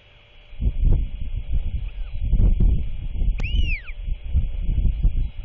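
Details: At nightfall on 27 March 2024, a royal albatross chick awaiting its father's feeding utters one clear arched squeal, rising then dropping, amid strong wind rumble.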